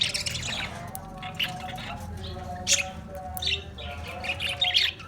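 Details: High, clipped chirps from Australian parrots, spaced irregularly over a low, steady tonal hum, with a few sharper notes near the end.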